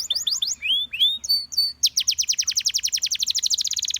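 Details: Gloster canary song aimed at prompting other canaries to sing: varied quick chirps and rising whistles, a few steady held notes, then a long accelerating trill of crisp repeated notes.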